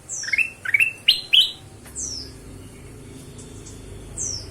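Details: Ruby-throated bulbul lure call to get other birds singing: a fast burst of rising chirps mixed with high falling slurs, then quieter scattered high notes.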